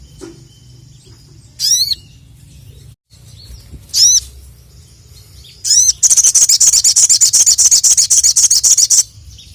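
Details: Crested jay, locally sogon, calling out rivals: three separate high down-slurred sweeps a couple of seconds apart, then a loud, fast metallic rattle lasting about three seconds.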